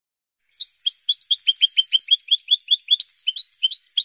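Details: European goldfinch song from a Spanish training recording for cage birds: rapid tinkling, twittering phrases of high liquid notes sweeping up and down, delivered in a dense continuous stream with no other sounds.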